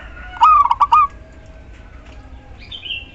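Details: Female zebra dove of a local strain calling the male: a single short run of four rapid, bouncing coo notes, then a faint high chirp from another bird over a quiet hum.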